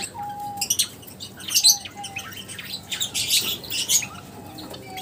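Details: Lovebirds chirping together: bursts of sharp, high chirps and squeaky twitters come in quick clusters, loud and quiet by turns, over a faint steady thin tone.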